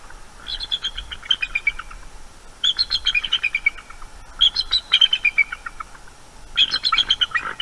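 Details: Eagles guarding their nest from a night-time owl, 23 October 2021, nest camera: four chattering phrases of high notes, each falling in pitch, repeated roughly every two seconds.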